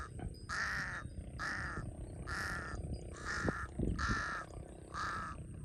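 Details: Harsh repeated cawing from a large-billed crow by the water in Cambodia: six hoarse calls evenly spaced under a second apart, with low ambient rumble underneath.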